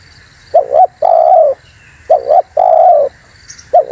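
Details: Spotted dove (terkukur) calling, a sound used to lure birds: low hollow coos, a short two-part note followed by a longer drawn-out coo, repeated twice over steady background hum.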